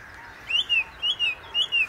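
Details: Song thrush atop a tree by the Inn River delivers a quick two-part whistled phrase, a rising note then a falling one, repeated three times in under two seconds.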